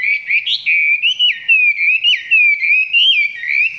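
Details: Chinese hwamei kept in a cage and filmed from close by, singing below full power: a continuous rich whistled warble of looping, sliding notes, rising and falling without a break.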